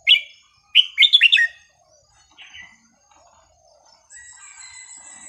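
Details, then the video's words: Red-whiskered bulbul song meant for teaching young birds: short bright whistled bursts, a rapid run of slurred notes, a soft warble, then a thin high steady tone with faint chirps. "นกกรงหัวจุกสำนวนเพราะๆ ร้อง เพลงไม่ซ้ำกัน เปิดสอนลูกนก"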